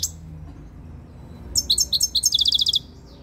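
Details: Very tame European goldfinch coming into breeding condition, singing close to the camera: after a quiet start, a burst of bright, high twittered notes runs into a fast, tinkling series of chirps lasting just over a second.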